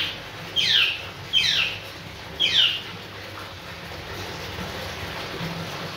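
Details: Senegal parrot, a pet bird from West Africa: three sharp, loud shrieks, each sweeping steeply downward, spaced about a second apart in the first three seconds, then a steady low hiss.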